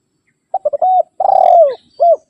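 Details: One spotted dove call aimed at rivals, used to lure wild birds: a few quick clipped notes, a long purring coo that falls in pitch, and a short hooked final note, with no other sounds.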